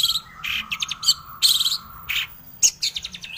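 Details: A long-tailed shrike gives a harsh, scratchy song of high chattering bursts and quick repeated notes over a steady thin high tone; a training recording meant to make other shrikes answer and sing.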